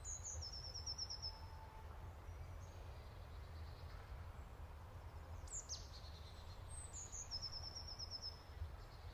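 Black-throated munia giving thin, very high calls: quick trilled runs of tiny notes twice, with a few sharp squeaks, over a steady low background rumble.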